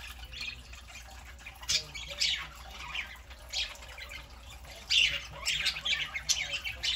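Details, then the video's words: Saturday morning with a group of pet parakeets, one only three months old: busy, scratchy squawks and chirps follow one another irregularly, growing denser and louder toward the end. "Parakeets Saturday morning"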